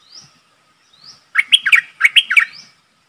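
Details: Streak-eared bulbul used as a decoy to attract a wild flock, giving a quick run of loud, bubbling, chirping notes in two clusters. It is framed by soft, high, rising whistled notes against a faint hum.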